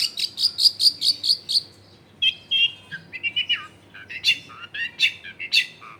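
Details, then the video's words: Long-tailed shrike singing as a lure for silent birds, recorded indoors in a dense residential area: opens with a rapid string of bright repeated high notes, then varied warbling chirps and squeaks. "SUARA BURUNG CENDET GACOR PANCINGAN CENDET MALES BUNYI"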